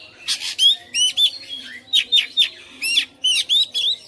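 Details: Home-bred Oriental magpie-robin in full, persistent fighter-style song, showing off its varied repertoire: rapid strings of loud whistled sweeps and chattering notes in tight groups of two or three, nearly continuous.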